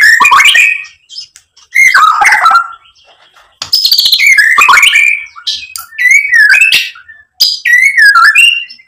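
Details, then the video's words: White-rumped shama provoking song: phrases of loud buzzy and whistled notes a second or two long, separated by pauses, later giving clear looping whistles. "PANCINGAN MURAI BATU biar EMOSI jadi NYAUT BUNYI GACOR BONGKAR ISIAN"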